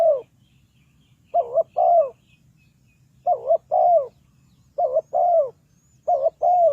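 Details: Decoy spotted dove calling for bird trapping: four paired coos spaced over a second apart, a clipped wavering note then a longer, throaty, falling coo, with a low background hum.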